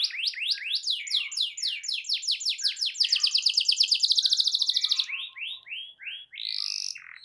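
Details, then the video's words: Canary in full persistent song, played to coax a silent canary into singing: quick descending chirps speeding into a fast even trill, then slower, separate slurred whistles. "Terapi Ampuh Burung Kenari Macet Dijamin Langsung Ikut Bunyi II Masteran Suara Burung Kenari Gacor"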